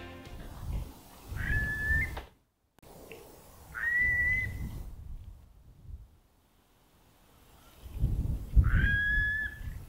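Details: Two or three curlews (a fourth reported) at Rainham Marshes, South Essex, give three clear, rising whistled calls spaced a few seconds apart, each sliding upward and holding, before one takes off calling; low wind rumble underneath.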